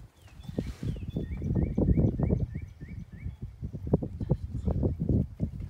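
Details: Flock of snow geese passing overhead, headed north above a Weatherford, Texas ranch on 23 April 2018; rapid runs of brief, nasal, slightly rising honks sound in a dense chorus, under strong low-pitched rumbling and knocking noise.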